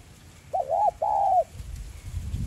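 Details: Spotted dove with a 'giọng son' voice, cooing to rouse a decoy bird: one clear two-part phrase, a short looping note then a longer level coo, over a low rumble of background noise.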